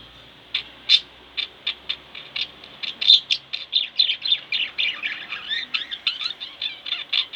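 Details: Two pet budgerigars at home chirping steadily, a string of short bright notes that grows into busier warbling chatter with quick rising and falling twitters.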